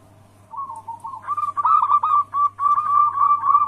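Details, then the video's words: {'caption': 'Zebra dove of a local song strain, played as a lure so other perkutut answer: soft, faint cooing at first, then louder, wavering rolled coos in quick succession, with a constant low electrical hum beneath.'} "Pancingan harian burung perkutut Anggungan Lokal gacor suara Bikin Lawan langsung Bunyi"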